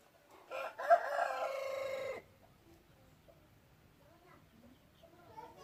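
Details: A red junglefowl kept as a decoy crows once, a rasping, drawn-out call lasting nearly two seconds after a brief lead-in note, then silence broken by faint small chirps.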